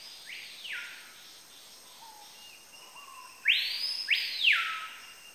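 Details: ['Capitão-do-mato song: after a faint early phrase, a loud burst of broad, swooping whistled notes sweeps up and down sharply, ending in a falling tail, over steady high background hiss.']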